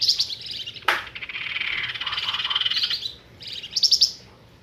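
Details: Flamboyan bird lure call used for trapping birds: a sharp high note, then a long buzzy rattling trill and a brief high chirp burst at the end.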